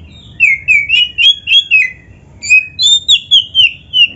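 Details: Oriental magpie-robin from Indonesia singing in a filled song style: rapid series of clear, slurred whistled notes, roughly three or four per second, in two runs with a short pause between.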